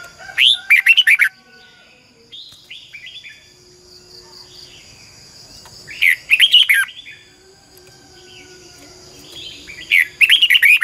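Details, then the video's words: Red-whiskered bulbul decoy bird singing to train other birds: three loud bursts of quick, warbling whistled notes about five seconds apart, with fainter softer phrases between them. "chào mào mồi hót luyện giọng cực hay"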